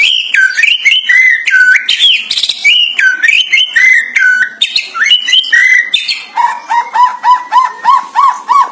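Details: Oriental magpie-robin, loud song used for training and luring other magpie-robins, with mimicry of a monkey described; varied whistled phrases sweeping down then up, shifting into a rapid run of repeated lower chirping notes.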